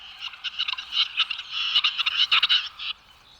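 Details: A male Western Capercaillie wooing hens in a Serbian forest performs the grand finale of his mating display on the ground after a long overture high in a tree: a dry rattle of rapid clicks and scraping, hissy notes for about three seconds, then stops.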